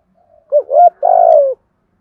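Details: Spotted dove lure call, from a recording including male and female birds, used to train and attract wild doves: a short soft coo, a rising-falling hooted note, then a longer burry, slightly falling coo, in clean silence.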